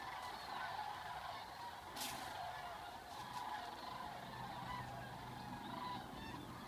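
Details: Flock of sandhill cranes departing Gainesville, Florida, for Nebraska in February: far-off, overlapping trilled calls running throughout, with a brief sharp noise burst near the two-second mark and a low steady hum.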